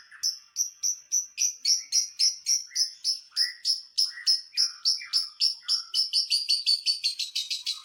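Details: Lovebird chatter meant to provoke other lovebirds, a long run of sharp high notes about three to four per second that speeds up toward the end, with occasional lower buzzy notes.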